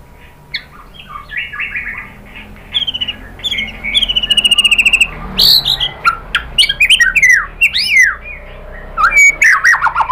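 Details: White-rumped shama song for provoking other birds: soft notes building into a rapid buzzy trill, followed by loud swooping whistles and sharp clicks.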